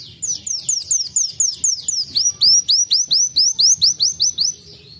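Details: A sunbird (kolibri wulung) sings a fast canary-like trill: high, sweeping notes repeated about five times a second, then a run of bright rising slurs.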